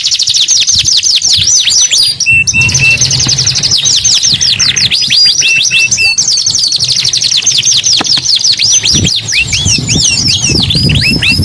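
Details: Energetic canary song: dense, continuous rolling trills of rapid high sweeping notes, many overlapping, with brief breaks and a low rumble of background noise underneath.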